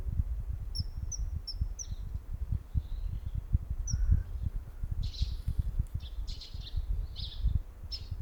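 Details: Common kingfisher calling in the morning on the Nogawa river, Setagaya, Tokyo, on 15 March 2026: thin, high, short whistled peeps spaced about half a second apart, then louder harsher bursts later, over steady low rumbling background noise.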